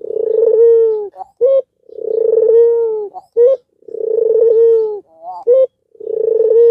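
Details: Coos of an albino Barbary dove, used to prompt lazy or learning doves to start calling: drawn-out, steady, low hums alternating with brief, clipped, higher notes in a regular two-second cycle.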